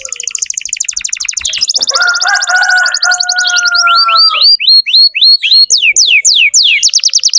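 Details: Vigorous canary singing used to tutor young canaries: a rapid high trill over a sustained lower whistle, then a series of slower, sweeping downward notes repeated steadily.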